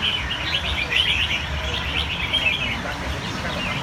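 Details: Red-whiskered bulbul singing, a dense run of quick, bright warbled chirps and twittering notes that go on almost without a break for about four seconds, over a steady low background rumble.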